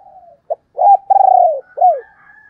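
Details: Female spotted dove in the thổ đồng voice style, played to lure wild males: a short low coo, then a rough note, a long wavering coo and a falling slurred coo, with faint higher whistles from another bird behind.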